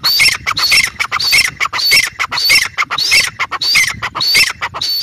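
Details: Female grey francolin (teetar) calling loudly and steadily, harsh ringing notes repeated roughly twice a second in an even, insistent rhythm throughout.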